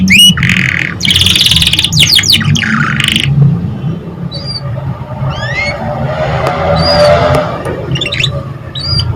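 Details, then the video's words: Canary song for stimulating young canaries to sing: a loud burst of buzzy rolled phrases in the first three seconds, followed by scattered short rising chirps over a broad low rumble. "Pancingan KENARI PAUD PALING JITU - Merangsang kenari paud agar cepat bunyi"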